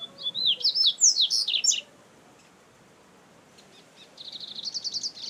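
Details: Double-collared seedeater singing wild in nature: a quick burst of sharp, high, slurred whistles and chirps for almost two seconds, a short pause, then a fast, evenly repeated trill of bright notes.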